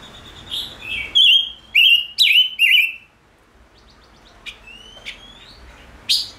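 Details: Fired-up male five-coloured bird (chim ngũ sắc) singing: soft lead-in notes, then four loud, ringing, down-slurred chirps about half a second apart, followed by quieter scattered ticks and a final sharp note.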